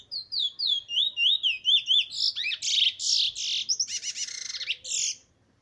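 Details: Black Trini bullfinch from a good bloodline, dated 15 March 2020, delivering a fast continuous song: a run of sweet wavering whistled notes, then harsher buzzy phrases and rapid chattering trills, about four notes per second.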